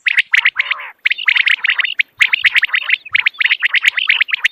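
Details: Morning calls of common quail, used as a hunting lure: dense runs of quick, high clipped notes in short groups of two or three, repeated about once a second with tiny gaps.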